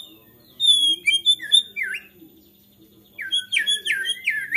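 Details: Agitated white-rumped shama song meant to set other shamas singing: a burst of sharp, high whistles with quick downslurs, a pause of about a second, then a second run of rapid rising and falling notes, over a faint steady hum.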